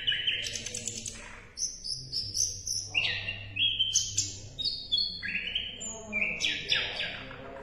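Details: Asian brown flycatcher (sikatan londo) singing a varied, rapid song of high whistled notes and lower buzzy trills in quick alternation, with sharp chirps and a faint low hum beneath, used to tutor songbirds.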